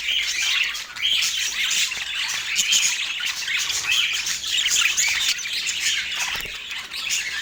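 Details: An autumn morning feeding for pet parakeets, filled with constant high scratchy warbling and repeated short squawks that never stop across the stretch.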